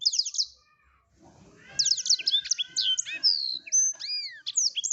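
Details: A masteran recording of a blackthroat: a quick high flourish, a short hush, then a long flowing stream of bright whistled sweeps, trills and slurred notes.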